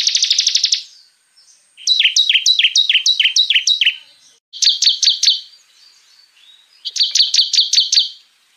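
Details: Bar-winged prinia singing hard in shot-like 'tembakan' style, for luring and training other songbirds: a quick high trill, then a chain of sharp down-slurred whistled notes, followed by two clipped bursts of rapid ticking chips.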